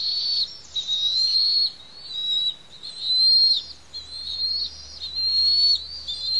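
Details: Bald Eagle chicks, two eaglets in a reintroduction project on Santa Cruz Island, begging during a feeding at the Pelican Harbor nest; piercing whistled notes about a second long, slightly wavering, repeated roughly every one to two seconds.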